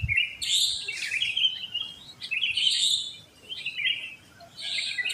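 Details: Dawn chorus of sooty-headed bulbuls in a neighbourhood where they are plentiful; lively chattering whistled phrases repeated roughly every second or so, fairly loud and continuous.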